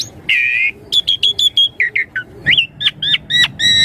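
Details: Asian pied starling luring young birds to answer: a steady buzzy whistle, then a rhythmic run of short chirps roughly every quarter second with bent, warbling notes.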